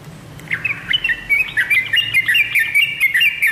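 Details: Short burst of yellow-vented bulbul song from a tame bird: after a brief quiet start, a rush of bright, warbled chirps flickering up and down over three seconds.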